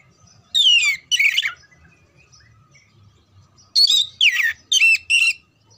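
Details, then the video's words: Oriental magpie-robin song for training contest birds: a falling whistle and a buzzy note, silence for over two seconds, then four quick loud phrases of slurred whistles and scratchy trills. "TERAPI SUARA KACER"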